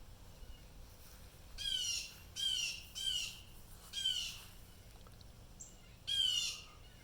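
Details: Distress calling by wild blue jays reacting to an unknown disturbance: five loud, grating jeer calls in an uneven series, with a faint thin tonal note between them.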